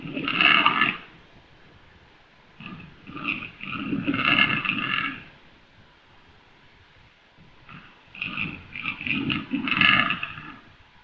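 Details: Black grouse × capercaillie hybrid giving harsh, guttural croaking bursts mixing deep rasping grunts with a brighter gurgling rattle, in three clumps separated by quiet pauses of a few seconds.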